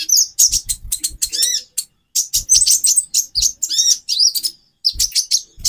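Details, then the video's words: A female konin (brown-throated sunbird), whose voice is played to raise a male's mating drive, chatters in fast high chips mixed with curved, wavering whistles, broken by short silences. "Burung Konin Betina 4x terapi birahi. menaikan birahi jantan"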